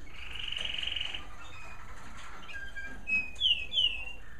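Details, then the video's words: Evening song of American Singer canaries kept in bird rooms: an opening buzzy roll, then soft scattered whistled notes and a few bright downslurred notes near the end, fairly quiet. "More beautiful evening American Singer canary sounds"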